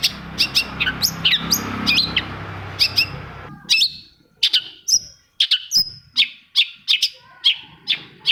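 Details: Lure recording of Long-tailed shrike song meant to start quiet shrikes singing, with sharp high notes and short slurred phrases repeated in quick, irregular succession, first over a low hum, then against near silence.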